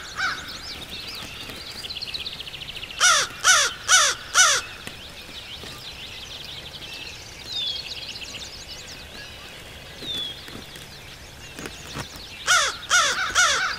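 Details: Close-up American crow (Corvus brachyrhynchos) that landed near a blind, puffing up as it calls, in Shiawassee County, Michigan, 11 May 2014: loud, harsh caws in two bursts of three to four, about half a second apart, over a chorus of smaller birds chattering.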